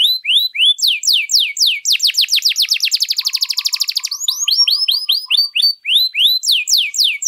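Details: {'caption': "Canary in long 'luxurious' song used to stimulate or teach other birds: loud sweeping whistles, then a fast dense trill, followed by springy, bouncing rolled phrases, with a faint lower chatter in the background."}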